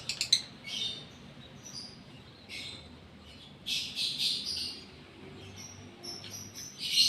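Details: Lovebird in breeding condition, described as gara, singing: several bursts of shrill, scratchy high chirps, the loudest and longest near the middle and end, with quiet gaps between them.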